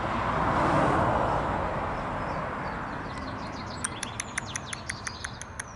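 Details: A common blackbird that seems to imitate a turkey calls after a quiet, rumbling start: a rapid, regular series of sharp, clipped notes, roughly ten in under two seconds, against faint background noise.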